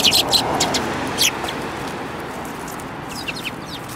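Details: A flock of sparrows with a yellow-beaked member, recorded 29 January 2018: a lively flurry of sharp chirps at the start, fading to faint scattered notes over a continuous hiss.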